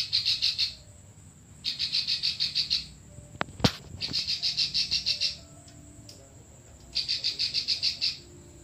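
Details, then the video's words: Klik-klik bird singing steadily for tutoring other songbirds: four separate trains of rapid high clicking notes, each around a second long with pauses between, one loud knock in the middle and a thin high hum throughout. "Burung Klik Klik Full Besetan"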